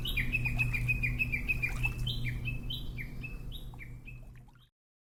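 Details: White-backed woodpecker in Hokkaido, recorded with a Nikon COOLPIX P950: a fast run of short, sharp, downward-slurred call notes, about three per second, fading out, over a steady low hum.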